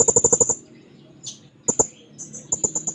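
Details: Blue-crowned hanging parrot singing in search of a rival, with short bursts of very high, needle-thin trilled notes, a brief pause, a quick squeak, then more pulsed high trilling.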